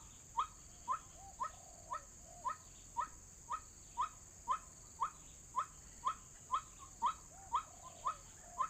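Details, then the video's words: White-breasted waterhen calls used as a bird-trapping lure, played as an MP3: brief upward-sweeping notes repeated regularly, roughly two per second, with softer lower tones between some notes and a steady high hiss. "Pikat hanya menggunakan MP3 suara ruak-ruak"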